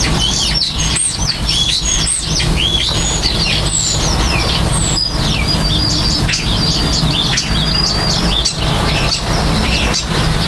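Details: Common starlings at nesting and nest building: a dense, steady stream of sharp whistles, rising and falling slurred notes and squeaky chirps, overlapping continuously, over a low rumble of background noise.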